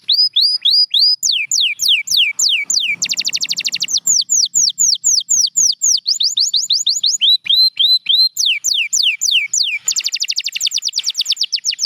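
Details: Champion canary sings a long varied phrase: rising looped whistles, falling sweeps, and a dense rapid trill. Clusters of descending chirps follow, and the sequence repeats with another fast trill near the end.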